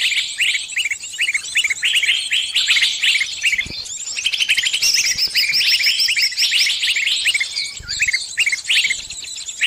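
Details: Caught bird calling for help from its companions: insistent, fast, irregular chirping and squeaky twitters, a continuous busy chorus of many overlapping high notes with little pause.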